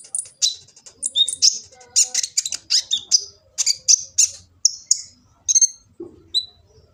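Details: Kolibri ninja sunbird, Gresik, East Java, with a varied song used to train birds: a jumble of high sharp chips, squeaky notes and short falling whistles, delivered in irregular bursts about once a second.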